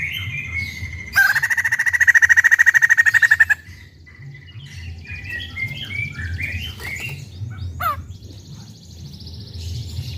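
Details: A white-crested laughingthrush kept in a collection gives a loud burst of rapid, machine-gun-like chatter for about two seconds, followed by scattered softer squeaks and chirps over a low background rumble.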